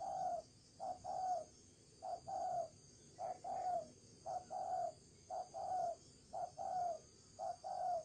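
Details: Decoy spotted dove giving thổ trần style coos, a steady series of deep, slightly rough notes, each short coo followed by a longer one, about one pair per second against a quiet constant hum.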